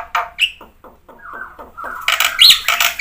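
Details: Varied song of a black-winged myna, meant to coax quiet birds into answering: a brief whistle, several low husky notes in a row, then a loud burst of grating chatter with a thin whistle.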